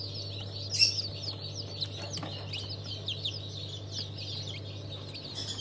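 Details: Chicks from a new hatch dated 27 March 2023, of several breeds such as Legbar. Many shrill, short, falling peeps overlap continuously, with one louder cheep early on, all above a constant low hum.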